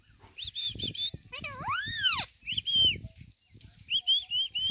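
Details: Pet Indian rose-ringed parakeet talking, mixing mimicked speech-like syllables with whistled notes, a loud rising-and-falling slurred squawk near the middle, and short repeated rising whistles toward the end; low human sounds underneath.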